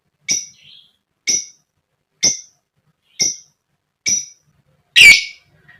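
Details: Female lovebird calling, used to provoke other lovebirds into singing: five short, sharp, shrill notes evenly spaced about a second apart, then a louder harsher burst.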